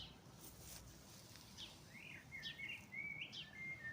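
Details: Birdsong on a spring dawn: after a hissy start, a run of bright whistled notes and short upward slurs grows louder toward the end.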